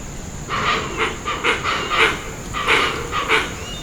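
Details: Hoatzin, often called the "dinosaur bird", giving harsh, hissing, wheezy growls in a quick series of about seven rasping bursts over three seconds, with a steady high hiss behind.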